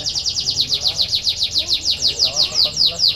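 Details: Canary trill played to encourage reluctant canaries to sing, a steady run of about five high descending notes per second, evenly spaced and loud throughout.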